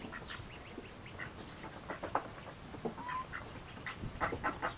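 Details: Hungry, eagerly feeding mallard ducklings give quick, scattered soft calls and short clicky notes, with one brief clear whistled peep partway through.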